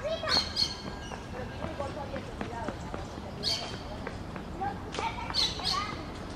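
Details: A lone green parakeet separated from its flock, apparently trying to communicate with it, gives harsh, screechy squawks in short paired bursts a few seconds apart, over scattered clicks and faint background murmur.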